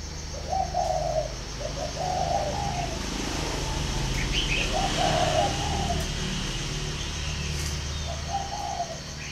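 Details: Spotted dove from a breeding farm in Ba Vì, northern Vietnam, giving mellow, low coo phrases about every two seconds, each a short rolling run of notes. A steady low rumble of traffic lies underneath, with faint higher chirps from other birds.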